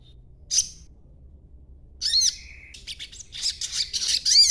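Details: Young sogon still in green juvenile plumage, chattering as a lure to draw answers from other sogons: a lone sharp high chirp, then a burst of squeaky notes with a short flat whistle and dense high twittering toward the end.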